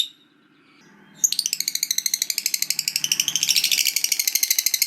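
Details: Lovebird giving a long chattering ngekek. After a second of near silence with faint background rumble, a shrill, rapid, pulsed rattle bursts in and runs unbroken, growing slightly louder toward the end.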